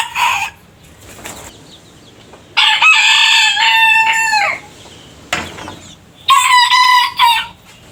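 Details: A rooster crows: a brief call opens, then a full crow with a short rising start, a long level middle and a falling end; after a quiet gap, a shorter, bright crow follows.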